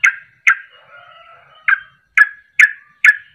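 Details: Sooty-headed bulbul in rapid ropel-style song, used as a lure to prompt other birds to sing along: six short, bright, slurred notes spaced about half a second apart, with a soft, steady warble filling the gap between them.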